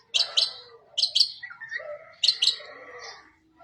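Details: Long-tailed shrike in lively, full 'isian' song. Sharp, high, clipped notes come in pairs, linked by lower warbled and whistled phrases, with short pauses between bursts.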